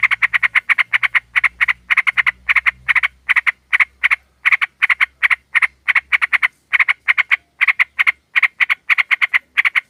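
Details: Female sooty-headed bulbul calling a male, a lure recording: nearly nonstop rapid rasping chatter, about three to four harsh pulses per second, with a faint low hum early on.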